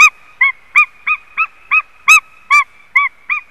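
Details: At a nest in Latvia, a white-tailed eagle on a live nest camera gives a rapid string of about eleven harsh, ringing yelps, roughly three per second, some notes sharper and more metallic than others.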